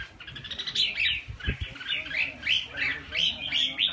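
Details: A red-whiskered bulbul in Vietnam sings repeated upslurred whistled notes in a loose rhythm, about three per second, with a sharp knock near the start.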